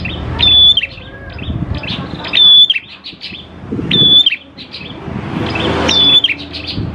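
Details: Prenjak klawu prinia giving its energetic lure song to make prinias sing: four phrases of rapid high chirps ending in a piercing level whistle, spaced about one and a half seconds apart, with light background noise.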